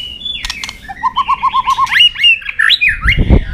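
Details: White-rumped shama fighting song for training; a run of repeated short rising notes, then sweeping whistled phrases, with sharp clicks and a low thump near the end.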